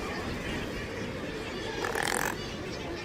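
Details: A razorbill (Alca torda) gives a short, harsh, grunting growl about two seconds in, rising briefly over a steady rushing background of wind or surf.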